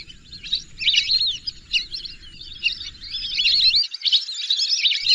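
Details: Whistling chorus of lesser whistling ducks building from sparse thin notes to dense, looping high whistles, with a low background hum that cuts out partway through.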